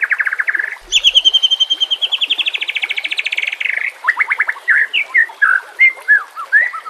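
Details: White-rumped shama song for training captive birds, rough 'nembak kasar' style, nature and water sounds behind. A brisk rattling trill, then a long high pulsing trill, followed by scattered whistled slurs and chirps.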